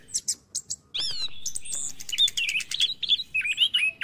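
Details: Orange-headed thrush in morning song, meant to stimulate silent caged birds: a few high chips, then a long rich warbled passage of rising and falling whistles mixed with rapid buzzy notes.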